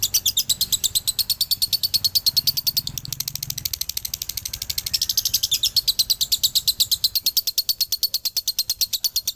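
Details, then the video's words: Male lovebird from Ciamis delivers a long dobelan song, a training recording for other lovebirds. It is a continuous, high-pitched, buzzy chatter of evenly repeated pulses, about three per second, over a faint low hum. "SUARA ASLI DOBELAN LOVEBIRD JANTAN"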